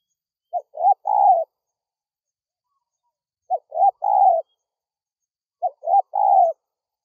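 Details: Spotted dove calling, used to lure wild doves: three-part cooing phrases, two short notes then a longer falling coo, repeated every two and a half seconds against silence.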